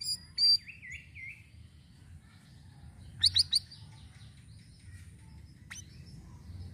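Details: Sirisiri voice recorded to lure birds. A loud high whistle, then wavering mid-pitched warbles, followed by a triple of sharp loud chips and a later single tick, with low hum beneath.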